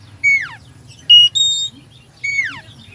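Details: Kacer (Oriental magpie-robin) isian song used to goad a dull kacer: two long downward-slurring whistles about two seconds apart, bracketing bright, high level whistled notes; low hum throughout.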